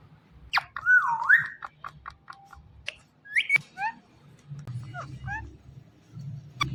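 An Indian ringneck parakeet gives whistled, wavering phrases and sharp clicky chirps in quick, irregular bursts, with a low hum beneath.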